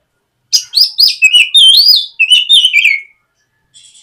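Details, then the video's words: Morning lure song of a white-rumped shama meant to coax a young bird into singing; a single loud phrase of quick whistled notes and sweeping slurs lasting about two and a half seconds. "SUARA PIKAT BURUNG KACER GACOR NGEPLONG MEMANCING KACER BAHAN AGAR LEKAS BUNYI & GACOR"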